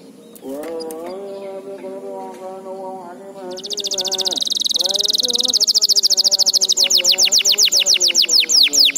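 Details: Training song for juvenile canaries: a lower harmonic warble opens, then a loud buzzy high trill and a rhythmic run of sharp descending notes repeated roughly three to four times a second.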